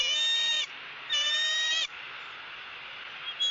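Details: At a nest in Southwest Florida, a female bald eagle begs as the male hands her pieces of fish. Two long, strained, high squeals are followed by background hiss and the start of another call.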